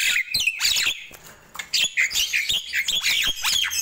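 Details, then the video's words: Nias hill myna in the morning, giving loud bursts of squawky, slurred whistles in clusters, separated by short quieter breaks. "Ramainya Kicau Jalak Nias di Pagi Hari"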